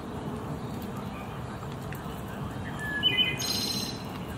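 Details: A Wood Thrush sings in Central Park, New York City: a single phrase of a few clear, fluty notes and then a high, buzzy trill, over a steady low roar of city noise.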